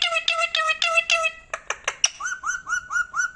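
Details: Pet rose-ringed parakeet, a talking ringneck from India or Pakistan, speaking in Urdu or Hindi indoors. Quick, rhythmic, voice-like syllables give way to sharp clicks, then a run of five short rising whistled notes.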